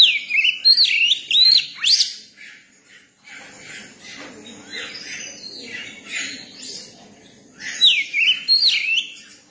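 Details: Young Oriental magpie-robin repeating a phrase of ringing, swooping whistles twice, with a soft stretch of harsh, buzzy twitters between the two phrases.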